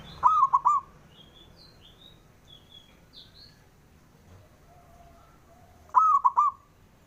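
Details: Local male zebra dove calling to provoke competing males to respond: two mellow three-note cooing phrases about six seconds apart, with scattered high chirps from other small birds in between.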